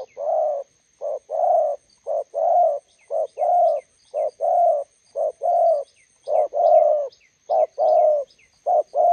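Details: Spotted dove as decoy meeting a wild bird beside a road: a rapid run of husky two-note coos, short hoot then longer croon, nearly continuous over nine seconds, faint high chirps behind.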